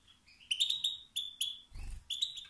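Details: Male European goldfinch calls meant to provoke other males to sing; a quick series of bright, slightly rising twittered notes, with a soft low rumble midway.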